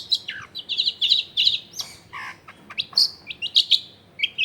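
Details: Long-tailed shrike song used as a lure for lazy shrikes, recorded amid dense housing: a lively jumble of high chirps, trills and a brief lower harsh note, delivered almost without pause.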